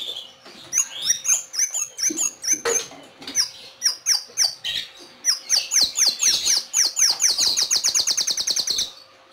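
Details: Song of a white-rumped shama kept by a Kebumen, Indonesia breeder. Varied whistles and chirps come first, spaced about half a second apart, then speed up into a dense, fast, high trill near the end.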